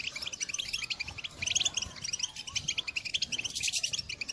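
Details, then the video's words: European goldfinch call song recorded in 2022 to stimulate birds to sing; rapid, liquid twittering with sharp high chips and a loud jingling burst near the end, against low rumbling background noise. "Top chant d'appel chardonneret pour motiver vos oiseaux"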